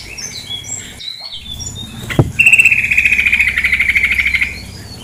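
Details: After a brief sharp click and faint twitters, a female sooty-headed bulbul gives a long, fast, buzzy pulsed trill lasting about two seconds, slowly fading, over a low backdrop of flowing water.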